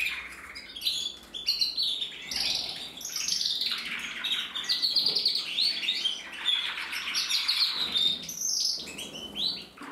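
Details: Male red mosaic agate canary from a breeder, recorded in 2024, singing a continuous, varied warbling song of quick twittering phrases, trills and sweet high notes with little pause.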